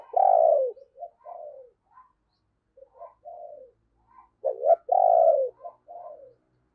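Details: Spotted dove decoy luring wild doves, thúc and gáy calls: a strong, hoarse opening coo followed by softer clipped notes, then a second loud double coo phrase, in a clean quiet setting.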